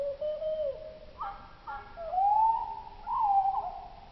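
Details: Song of a common blackbird in Oslo, pitched down two octaves: low fluting whistles, a steady opening note, then a swooping upward glide and a final wavering phrase, each about a second long.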